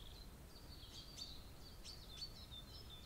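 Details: Brambling at a bird feeder on 25 March 2022: thin, level high whistles that run on and off, broken by several sharp, clicky chips, over a steady low background rumble.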